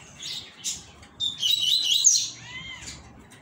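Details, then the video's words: Rusty-collared seedeater singing the tui tui mosquito style while returning from moult: bright, high twittering bursts, a dense warbled passage, then a few clear downslurred whistles. "COLEIRO TUI TUI - MOSQUITO"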